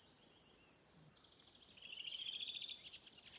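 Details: A Redwing sings a local dialect phrase on Åstholmen, 29 May 2021: a few high, thin notes sliding downward, then a dry, chattering twitter lasting about a second.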